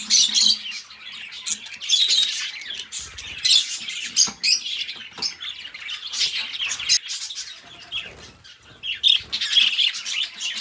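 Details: Budgies chattering in bursts, loud scratchy squawks and chirps separated by short pauses, with occasional low taps and rustles.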